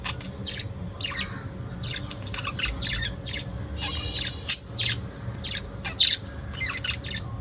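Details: Pet lovebirds in the evening giving sharp, shrill chirps in quick bursts, spaced irregularly through the recording, over a low steady indoor hum.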